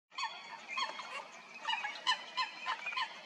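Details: Coots fighting at Stodmarsh, Kent, UK: a rapid, irregular series of short, sharp, nasal notes, several closely overlapping, with a steady high hiss behind.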